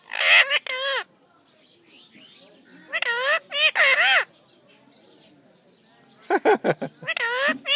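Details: A parrot talking in a natural voice: three bursts of harmonic, wavering speech-like phrases at about 0, 3 and 6.5 seconds, the last broken into short clipped syllables, with quiet pauses between.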